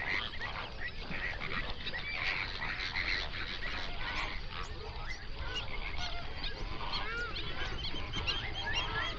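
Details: Busy murmur of a large wild flamingo flock on an Overberg national park lake, South Africa, captured binaurally. Many short, clipped honks and gabbling notes blend into a continuous chorus.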